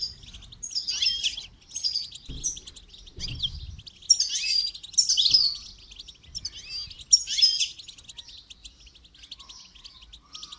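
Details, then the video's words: Goldfinch in song training, giving bursts of bright, liquid twitters and buzzy trills separated by brief pauses, each phrase about a second long, with a few soft low thumps between them. "training goldfinch to song"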